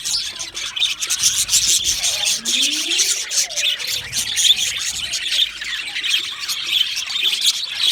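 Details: Chirping budgerigar parrots: a steady wash of shrill, overlapping squeaks and chatter, with a couple of rising and falling warbled notes sliding through the middle.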